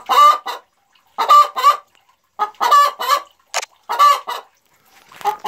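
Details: A Boris Brown hen cackles boastfully after leaving the nest following her very first egg, 4 December 2016; loud, rasping notes grouped in twos and threes, the groups about a second apart.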